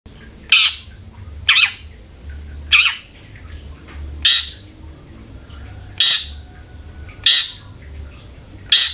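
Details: Long-tailed shrike, played as a lure to make kept shrikes sing often: short, harsh, noisy squawks, each a rasping burst, spaced about one to one and a half seconds apart, with quiet low hum between them.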